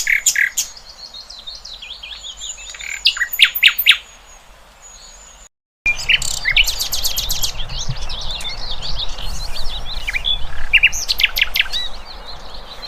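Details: A chorus of free-living birds with varied high twittering, trills and a long thin whistle, a brief silent break, then dense overlapping chirps over a low rumbling background.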